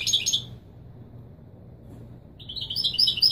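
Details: European goldfinch performing Moroccan Widani Marrakchi song to tutor young birds: a short, dense burst of high chatter, a pause of nearly two seconds, then thin, rising, tinkling trill notes over a faint hum.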